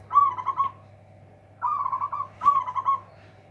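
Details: Local zebra dove singing with a loud, big voice meant to outdo rivals: three bursts of rapid, stuttering, rolling coos, each about half a second, over a steady low electrical hum.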